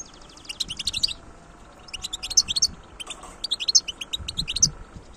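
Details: Wild goldfinch, recorded 2022, pouring out rapid liquid twitters and buzzy high chirps in three or four dense phrases, with faint low rumble underneath.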